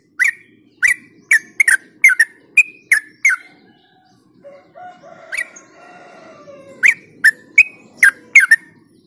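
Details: Yellow-vented bulbul, recorded as a lure track for other birds, gives rapid bursts of sharp, bubbly chirps, around a dozen in quick succession, with a brief softer warbling passage between.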